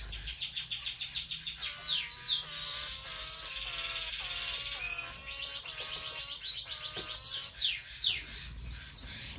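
Diamond firetail with drawn-out nasal notes, slightly bent in pitch and repeated about every half second, over a dense high twittering of other small finches.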